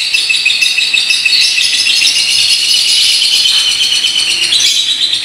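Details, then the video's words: Paskun lovebird in a long ngekek trill, delivered in a unique style: an unbroken, dense, high chattering buzz that runs the whole length with a shimmering rattle texture and no pauses. "LOVEBIRD PASKUN NGEKEK PANJANG GAYA UNIK"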